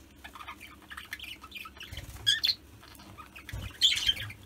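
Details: Pet budgerigars breeding without a nest box, with four recently weaned chicks, give scratchy, high chirps and squawks in irregular bursts, with soft low thumps beneath.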